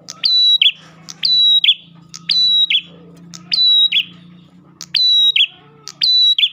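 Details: Luring song of an Ash tailorbird: seven bright phrases in quick succession, each made of a snapping click, a flat piercing whistle and a slurred lower note, over a steady low drone.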